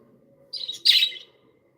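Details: Happy pet budgerigars making a pair of short, bright chirps in quick succession, the second louder and slightly scratchy, followed by quiet.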